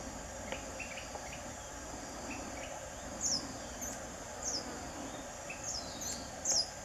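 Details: Buff-bellied hermit giving four short, very high, sharp squeaky notes spaced about a second apart, over a steady background drone of insects.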